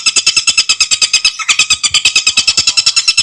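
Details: Tengkek buto or Scarlet sunbird (Aethopyga mystacalis) singing a clear, rapid-fire song for bird training: high, sharp pulses repeated very fast and evenly, broken by one short gap midway before the trill resumes.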